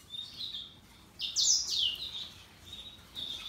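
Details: Russian yellow and Timbrado canaries singing: soft high twitters broken by two loud descending buzzy trills in quick succession, then quieter chirps.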